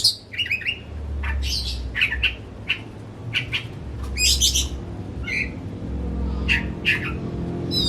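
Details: Caged household oriental magpie-robin singing as a lure for a reluctant bird: rapid stuttering whistles, harsh rasping notes and varied bright phrases packed closely together, a steady low hum behind.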